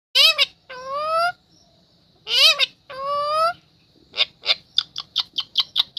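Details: A green pet parrot gives two pairs of loud, harsh, wavering screeches about two seconds apart, then a quick run of about nine short, sharp chirps.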